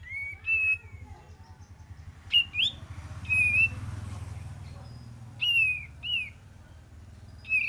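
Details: Olive-winged bulbul song for luring: paired whistled notes in short bursts separated by gaps of a second or more, over a steady low hum.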